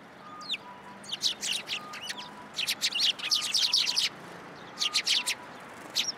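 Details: Sparrows at a shrine (Tenmangu) coming to a post to be fed, recorded 7 January 2023; bursts of short, sharp, high chirps and tweets in quick clusters, several birds calling, with quiet pauses between bursts.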